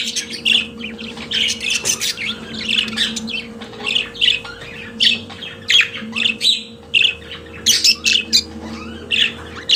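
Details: Captive budgerigar singing a lively, continuous chatter of harsh, buzzy chirps and squawks in rapid rhythmic bursts, over a steady electrical hum.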